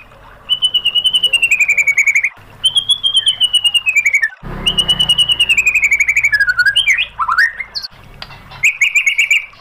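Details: White-rumped shama training recording with burst-style singing to provoke a reply: long trills of rapid, clear repeated notes, then swooping whistles and sharp upslurs, all loud and close.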